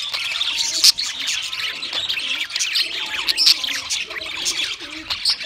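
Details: Pet budgerigars give a squeaky, rasping chatter mixed with sharp little chirps, the voices overlapping in a constant high babble.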